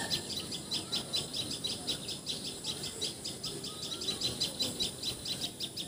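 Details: Quieter recording from Assam, India: a common tailorbird repeating a thin, high, sharp note at a quick steady pace, with faint lower bird sounds.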